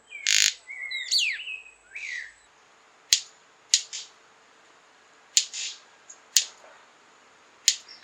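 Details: White-collared Manakin at Caño Negro wetland reserve, Costa Rica, courtship display: having cleared a ground patch, it makes sharp, dry wing snaps like cracking twigs, about five at irregular intervals, after high chirps and whistles from another bird.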